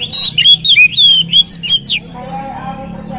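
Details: Lure song of an Oriental magpie-robin meant to spark singing in others of its kind: two seconds of loud, rapid, slurred whistles rising and falling, then a low murmur with faint voices.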